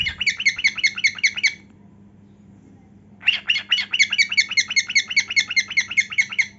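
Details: Cockatiel, singing as it dances, gives rapid strings of ringing, slightly rasping notes about six per second, one short run, a gap of nearly two seconds, then a longer run.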